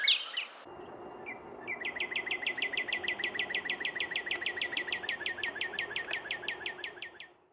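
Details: A Northern Cardinal in an eastern North American backyard, a year-round resident, sings a string of downward-inflected whistles: a brief steady whistle, then a fast run of clear downslurred notes, about five a second for six seconds, over a faint low hum.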